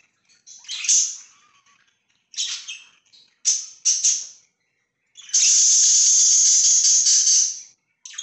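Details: Pet budgerigars on 24 September 2024: bright, scratchy chirps in short bursts, then a long, loud, buzzy harsh note held for over two seconds, ending with another brief chirp.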